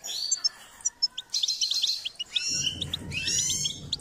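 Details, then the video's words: Goldfinch song used for song training: scattered high chirps leading into a lively run of twittering, buzzy notes, with a low rumble joining in the second half. "Step by step enhancing the goldfinch’s singing"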